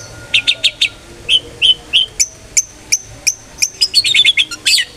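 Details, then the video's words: Long-tailed shrike 'ngeplong' song meant to lure shrikes into singing: varied high chirps and clipped whistles, first in short triplets, then spaced single notes, ending in a quick tumbling burst of notes. "cendet gacor NGEPLONG sangat ampuh buat PANCINGAN cendet agar RAJIN BUNYI"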